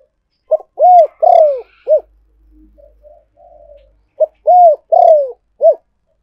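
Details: Spotted dove giving its decoy call for luring: two full phrases, each a short note, arched coo, burry descending coo and brief closing note, separated by quiet low murmuring.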